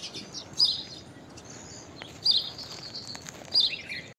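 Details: Common myna giving an unusual call: three short, harsh, high chattering bursts about every one and a half seconds, with a faint steady background hiss.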